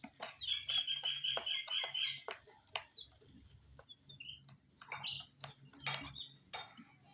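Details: Dyed chicks pecking at spicy snacks. A dense chorus of high, trilled peeps for about two seconds, then only scattered single chirps among pecking clicks and a low hum.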